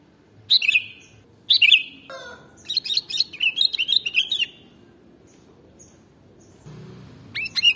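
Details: Sooty-headed bulbul, whose song is presented as one that prompts other birds to respond: two short whistled bursts, then a longer bubbling warbled phrase, a pause, and a final sharp note.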